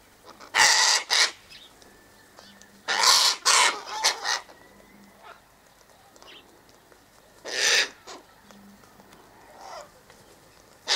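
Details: Flock of sulphur-crested cockatoos eating birdseed, wheat and sunflower seeds beside an eastern gate, uttering loud raspy shrieks in paired bursts every few seconds, with faint thin chirps in between.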